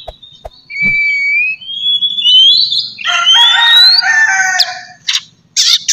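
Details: Morning lure recording of a kacer, the Oriental magpie-robin, meant to spur a caged bird to sing: long clear whistles drawn out and rising, then a harsh buzzy chattering burst and short scratchy notes.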